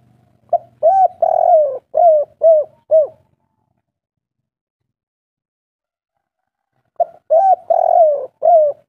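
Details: Spotted dove of local Indonesian stock repeating its 'kuk 3' song. Two cooing phrases, each of a brief note, a long throaty purring coo and several falling hollow notes, separated by roughly four seconds of silence.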